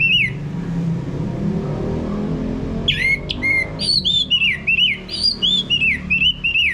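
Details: Orange-headed thrush, a male, in song used as a lure to trigger singing: after a low rumbling start, a quick run of clear, varied whistled phrases with sliding and dropping notes, several per second.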